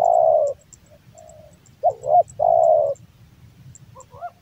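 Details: A long level coo opens, then soft low notes, two bent rising notes and another sustained purring coo from a male spotted dove, with a quiet start of another phrase and faint ticking in the background.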